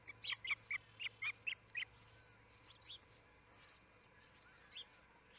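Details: Osprey calling at the Charlo nest in early morning, 6 am, July 4, 2018: a rapid run of about nine sharp, piercing chirps over two seconds, then fainter scattered notes fading into a low steady hum.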